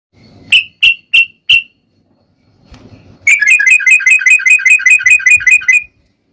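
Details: Sooty-headed bulbul (trucukan) singing in the rapid ropel style: four loud, separate clear notes, a pause with faint low rumble, then a fast run of about twenty bright chirping notes lasting two and a half seconds.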